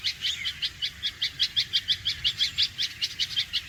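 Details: Red-vented bulbul alarm call: a fast series of sharp, short single notes repeated about three times a second, steady and insistent, with faint background hiss.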